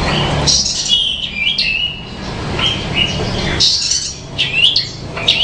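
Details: Branjangan, a bushlark, delivering a melodious song of high chirps and clipped whistled phrases, some sliding down, with brief pauses between bursts and a low background hum.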